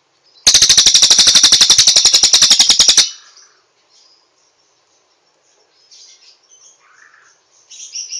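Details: Cililin song recorded as training material: one loud, fast trill of about two and a half seconds with even pulses, followed by quiet scattered high chirps.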